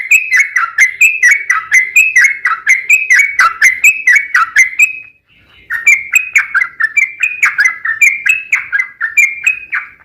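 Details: Repeated downward-sliding chirps from a Sooty-headed bulbul in the long-trill style called ropel panjang, used as a lure for other bulbuls; about two notes per second, briefly interrupted near the middle, then resuming.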